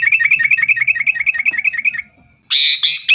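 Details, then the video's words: Sooty-headed bulbul singing to stir rivals into song. A fast, even run of short high notes lasts about two seconds. A brief pause follows, then two loud, harsh bursts. "burung kutilang gacor bikin lawan lngsung emosi dan ikut gacor"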